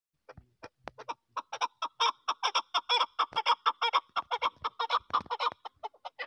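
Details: A female chukar partridge gives a long run of harsh, clucking chuck notes, about two a second, speeding up and growing louder before tailing off.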